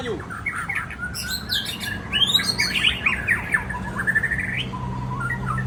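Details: White-rumped shama in rich, varied song: rapid tumbling phrases of sharp chips, sweeping whistles and warbled notes, rising into a quick ascending trill, then softer whistles near the end, with a low constant hum behind.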